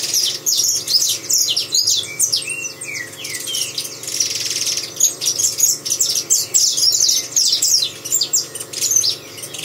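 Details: Dense, high-pitched twittering from a saffron finch: rapid chips and short slurred whistles pour out almost without pause, briefly thinning to a hiss in the middle before the busy chatter resumes.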